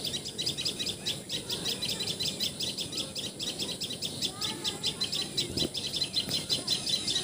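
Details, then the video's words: Common tailorbird from Assam, India, repeating a bright, high-pitched note in an even rapid run for several seconds, with faint lower chirps from another bird. "Call Of Common Tailor Bird!"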